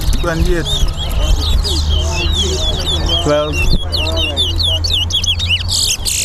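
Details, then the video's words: Towa towa singing in a bird singing race between two birds at the Lamaha and Vlissengen Road bird ground, Guyana: quick, bright whistled notes and short twittering phrases repeated steadily, over a crowd of people talking and a low steady hum. "TOWA TOWA BIRD RACE"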